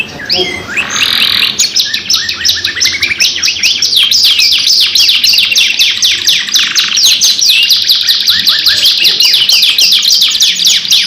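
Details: Canary in long, continuous song used as a pancingan (lure) recording, billed 2-in-1: rapid trills and rolls of sweeping high notes, dense downward slides and buzzy bursts running nonstop, indoors.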